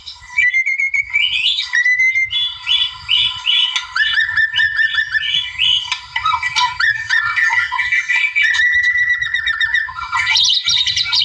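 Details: White-rumped shama in the wild, singing to provoke a rival: clear rising whistles open into fast repeated chattering notes and rattling phrases, closing with a burst of high buzzy notes, faint low rumble underneath.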